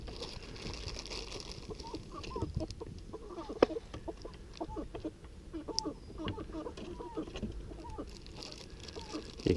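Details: Fifteen chickens shut inside a coop in the morning, hungry and wanting out before leg ringing; soft scattered clucks and low murmuring calls from several birds, with knocks and rattles of the coop and handling noise.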